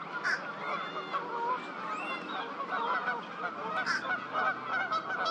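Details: Fish crows newly arrived in spring, April 8th, 2023 at Twin Lakes: a dense chorus of many overlapping nasal calls from a flock, steady throughout, with a few brighter, sharper notes standing out near the start and end.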